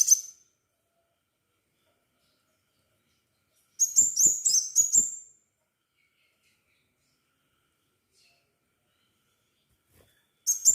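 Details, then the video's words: Crimson sunbird singing, used as a lure recording: a short burst of four quick, high, piercing chirps, with brief fragments at the start and end and long silences between. "Burung kolibri sepah raja gacor - pancingan sepah raja agar bunyi"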